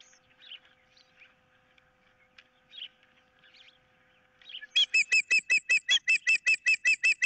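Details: Osprey at the nest on 15 April 2023 amid a fish dispute and an intruder nearby: soft scattered chirps, then a loud, steady run of ringing whistled notes, about two or three per second.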